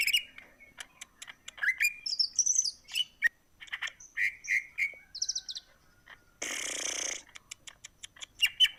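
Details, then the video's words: Energetic greater green leafbird song, meant to put other birds in breeding mood: varied sweet whistled phrases and sharp chips in fast sequence, broken by a long harsh rasping buzz of nearly a second, then more clipped whistles. "cucak ijo gacor membuat burung lain ikut birahi"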